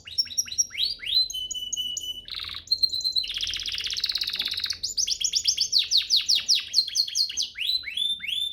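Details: Master song for training canaries: clear whistled notes and downslurs, a dense buzzy rattling section, then rapid series of sharp descending notes.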